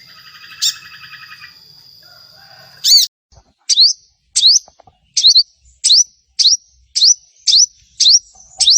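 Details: Crimson sunbird 'shot' style song used to coax other birds into singing: a thin sustained whistle, then a string of sharp, upswept high notes about every half second.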